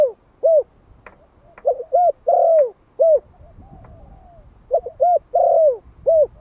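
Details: Vietnamese decoy spotted dove of the Malai type, one year old, calling to attract wild birds. Two full phrases of hollow coos: a single opening note, quick double notes, a long downslurred coo, and an ending coo. Faint clicks in between.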